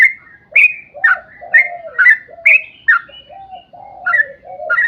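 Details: Yellow-vented bulbul in long rapid song meant to make other bulbuls sing: a brisk series of sharp bright notes backed by lower, mellow gurgling phrases.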